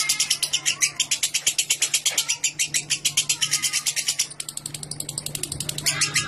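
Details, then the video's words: Lovebird ngekek, the long chattering song used to prompt other lovebirds to sing at length; fast high rasping notes pour out continuously, briefly softening past four seconds before resuming, over a low hum. "Burung Lovebird Ngekek Jernih Pancingan Buat Lovebird Ngekek Panjang"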